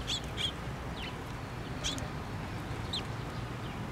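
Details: Sparrows gathering at a feeder on a post at a Tenmangu shrine, 24 June 2023: five short, high chirps spread unevenly over four seconds, two close together at the start, over a low steady background hum.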